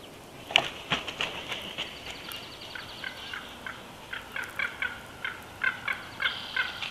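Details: Female bald eagle on the Big Bear Valley nest camera, 12 June 2021, calls in a long, uneven series of high, clipped piping notes, repeated several times a second over steady background hiss.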